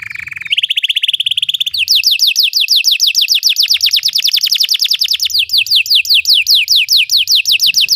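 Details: Belgian canary in song for canary training: a short flat whistled note, a buzzy steady tone, then a long run of quick, sharply falling trilled notes at a steady pace.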